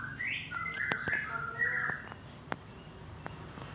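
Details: Male white-rumped shama singing in the morning: a series of clear whistled phrases, rising and falling slurs with short warbled notes, fading into quiet background with a few faint clicks.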